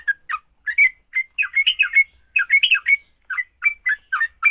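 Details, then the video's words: Sooty-headed bulbul fighting song, used to quickly make other bulbuls sing: loud, quick bursts of short warbled and chattering notes around the middle of the range, grouped in uneven phrases with brief pauses, in a quiet setting. "Kicau TRUCUK TARUNG, paling cepat bikin trucukan BUNYI."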